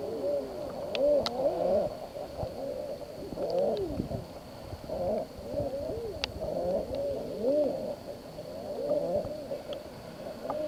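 A flock of common eiders gives soft, crooning 'ah-OO' coos, each rising then falling, overlapping almost without pause; a few faint clicks are also heard.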